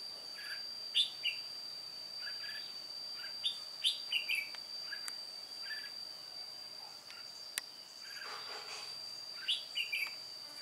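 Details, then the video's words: Decoy red-whiskered bulbul, an old white-cheeked bird singing solo while trapping on 1 July 2018. Scattered bright chirps and short warbles come with long gaps, over a steady high whine and a brief rustling noise. "Bẫy chào mào Má trắng Chơi solo mồi già"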